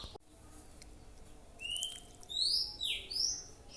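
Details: Oriental magpie-robin practising its song: after a sharp click, a few clear high whistles sweep upward and then bend downward, delivered in a short loose phrase.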